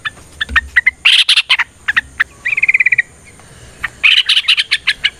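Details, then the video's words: Yellow-vented bulbul fighting song used to goad other birds into singing: scattered sharp chips and chattering bursts around a brief run of rapid, evenly spaced trilled notes, with a faint steady high tone behind. "TRUCUKAN GACOR TARUNG ROPEL PANJANG"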